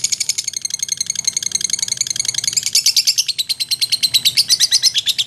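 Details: Lovebird in a long gacor ngekek-and-teler bout: rapid chattering series of sharp high chirps, about three per second, forming a continuous ripple that shifts pitch midway and grows louder toward the end.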